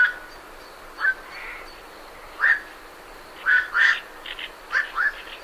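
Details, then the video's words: Night herons leaving the roost give hoarse, croaking single barks, several close together near the end. Great reed warblers chatter quietly in the background, with a soft, steady hiss throughout. "Night Heron. Calls MCU From Birds Leaving Roost"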